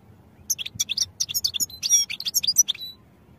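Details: European goldfinch singing for training purposes, a quick tumbling series of high, liquid chirps and short trills, each note bright and clipped, running continuously for about two and a half seconds.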